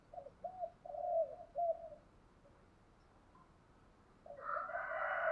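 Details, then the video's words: Spotted dove cooing in the 'thúc gù' style, said to have a low 'giọng thổ' voice: four or five soft, hollow coos in quick succession, then a pause and a louder, noisy burst at the end. "cu gáy thúc gù bài bản cả xóm đều mê"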